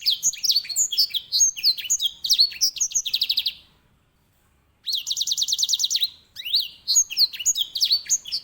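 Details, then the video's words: Loud, continuous song of a grey singing finch, or edel sanger, a tutor bird for canaries in Indonesia: rapid high chirps and slurred notes with fast buzzy trills, broken by a brief pause. "EDEL SANGER SI BURUNG BERSUARA LANTANG"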